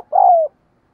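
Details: Spotted dove decoy calling to provoke other birds. One drawn-out, low, mellow coo lasts under half a second and falls slightly at its close.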